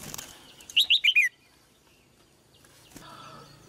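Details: A female red-whiskered bulbul gives a single crisp phrase of four quick whistled notes falling in pitch, framed by rustling and a short clatter.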